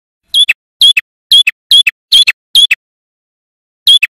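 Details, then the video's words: A male red-headed prinia, used as a lure call for wild birds, gives loud, high, chipping double notes about every half second: a sharp chip, then a quicker squeaky one. The series breaks off briefly, then one more pair follows. "Suara Prenjak Kepala Merah Jantan Gacor"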